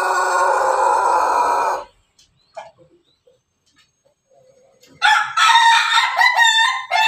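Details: Pelung chicken crowing: a long rich harmonic crow ending at about two seconds, a near-silent gap with faint scattered sounds, then a second loud, wavering crow begins around five seconds and runs to the end.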